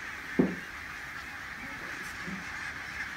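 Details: Barnacle geese lift off into a strong headwind at Loch Gruinart on Islay. One loud, abrupt honk comes early, then a couple of faint short calls, all under constant wind noise.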